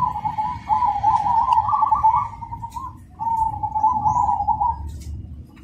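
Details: A cemani zebra dove (perkutut) gives loud, clear, rhythmic cooing in two long, rolling phrases of quick, soft staccato notes at a mellow mid pitch, over a low background rumble.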